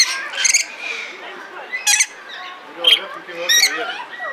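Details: Red lory kept at Belgrade Zoo, Serbia, in 2022 gives a few sharp, rasping shrieks about a second apart, with softer chatter and faint voices in between.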